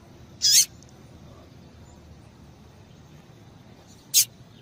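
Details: One female lined seedeater note, a call used to get males singing: a loud, high, slurred chip, then after about 3.5 seconds a second short, sharp tick over soft steady hiss.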